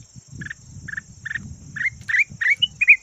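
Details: Decoy red-whiskered bulbul (chào mào vàng) opening with three short buzzy notes at half-second intervals, then breaking into quick rising whistled warbles, over low rumbling background noise and a constant thin high whine.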